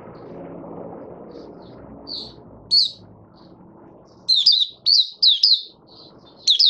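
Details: Oriental white-eye from Malaysia (Mata Puteh) out of form, in buka sing: scattered soft high notes building into rapid clusters of sharp, slurred chirps, with a low steady hum underneath.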